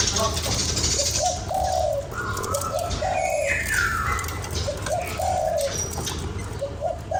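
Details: Repeated low, hollow coos of a spotted dove played to excite a lure bird, given in short rhythmic phrases, with a brief higher chirping bird call and faint background voices and rustle.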